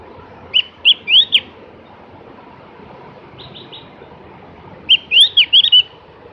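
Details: Javan grey-throated white-eye giving two bursts of high sweet whistled notes, a few slurred upslurs each, separated by about three seconds of near silence with a faint soft chatter between.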